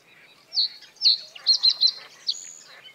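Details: Breeding-season male common reed bunting perched high on reeds over water, singing to defend territory; a single short phrase of loud chirps, a tight triplet in the middle, then a higher thin note trailing off.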